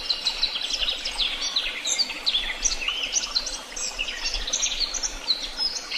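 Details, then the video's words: Several birds calling together, a busy mix of high chirps, short whistles and trills overlapping throughout, with a low rumble of background noise. "Sounds of beautiful birds and the tweet of birds"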